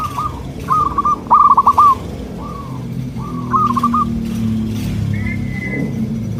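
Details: Zebra dove of local stock singing, played so nearby doves reply: a few rolling trilled coo phrases, then quieter gaps and a thin high whistle, with constant low background hum.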